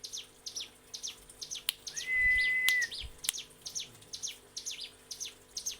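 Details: Training song of a mountain prinia for caged birds: bright, high chirping phrases with descending slurs, interrupted midway by a long, steady, level whistle.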